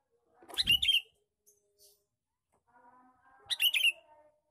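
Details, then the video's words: Male sooty-headed bulbul giving a lure call, described as chatty 'cor cor cor': two loud bursts of bright, harsh chirping notes about three seconds apart, with faint low humming between them. "suara pikat burung kutilang jantan gecor cor cor"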